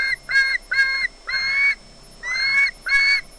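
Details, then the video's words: Willow, an osprey on the RSPB Loch Garten wildlife camera in Scotland, makes squealy sounds as if expecting fish: five loud, squealing whistled calls, each about a third of a second, with short pauses between them. "Willow makes squealy sounds as if expecting fish"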